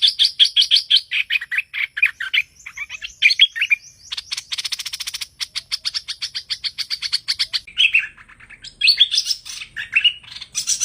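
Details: Hoành hoạch bird, recorded as a lure for trapping, gives fast strings of high twittering notes, then a long dense rattle of clicks, then jumbled rising and falling chirps. No other sounds are heard.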